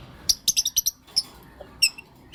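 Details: Lovebirds, blue opaline and lutino opaline, chirping in the morning: a rapid series of about six crisp, high, clipped chirps, then a brief gap and two more sharp notes.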